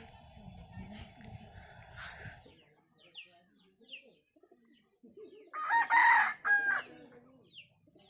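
An Aseel rooster gives one loud, hoarse crow of about a second and a half, rising then holding. Low rumbling and soft clucks come before it.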